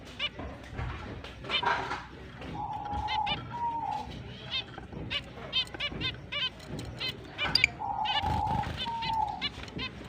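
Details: Finches at the start of their breeding and mating season, recorded October 29, 2023: short nasal chirps with a stacked, harmonic tone, given in quick pairs and bursts throughout, with a long steady hum-like tone twice and background noise.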